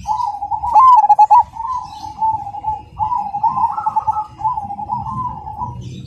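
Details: A Cemani zebra dove gives continuous rhythmic song, loud and clear: a quick stuttering burst of coos followed by steady purring, trilled phrases with small rises in pitch; faint background rumble.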